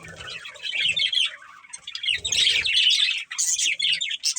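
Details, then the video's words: Warbling chatter from a breeding pair of budgerigars: a steady stream of buzzy, twittering notes building to louder, denser chirping, then several quick sharp chirps at the end. "Cute Budgies Chirping Sounds | Love Birds Breeding Pair"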